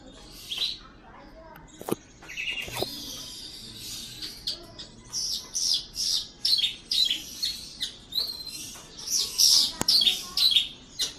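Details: Javanese Horsfield's bush lark kept in a cage, in full vigorous song. A busy stream of high, scratchy chirps and buzzy notes builds up after a quieter start. A few sharp clicks break in, and faint noise sits underneath.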